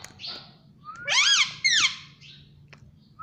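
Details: Pet Indian ringneck parakeet chirping indoors: two loud, harsh, arched squawks in quick succession, followed by a few fainter short chirps over a low room hum.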